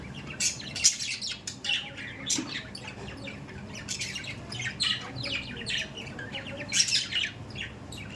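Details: Budgerigars chattering: rapid, scratchy chirps and short squawks tumble over one another in dense bursts. There are brief pauses between the bursts.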